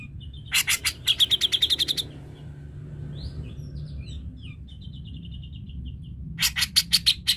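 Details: Cucak jenggot, a bird whose song is used to provoke a silent bird into singing: two bursts of fast, harsh repeated chirps separated by soft whistled twitters over a steady low hum.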